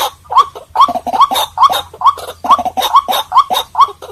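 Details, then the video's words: Repeated croaking calls of a White-breasted waterhen, used as a lure for birds: each grating note bends upward, coming in a quick regular beat over a soft low background hum. "เสียงนกกวัก #03 White Breasted Water Hen Sound"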